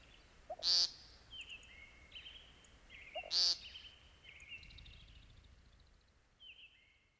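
An American Woodcock gives two loud, nasal, buzzy peents about three seconds apart, each preceded by a soft low note. Thin whistles from other birds sound behind them.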